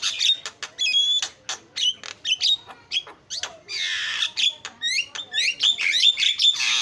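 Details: Javan myna (jalak kebo) lure song for training birds: rapid varied chatter of clicks, short whistles and raspy bursts, ending in a quick string of upslurred whistles.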